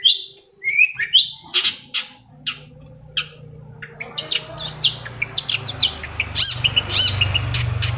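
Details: Long-tailed shrike song played to prompt another shrike to answer: scratchy high notes and sharp chips, at first spaced, then crowding into a busy chatter over a rising low rumble and hiss.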